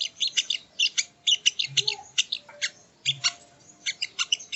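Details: Sogon, also called sogo ontong, in a training recording: bursts of high, clipped tweets in quick clusters with brief gaps between phrases, plus faint low background noises.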